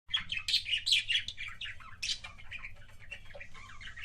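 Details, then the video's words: Pet budgerigar making kissing sounds: dense chattering warble of quick chirps, clicks and wavering notes in rapid bursts, loudest in the first second and softening after, over a low steady indoor hum. "BUDGIE KISSING SOUNDS"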